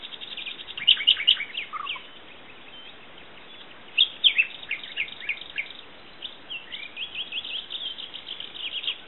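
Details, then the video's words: Common nightingale song: varied high whistled and chirped phrases in loose bursts over steady background hiss. "El canto del ruiseñor"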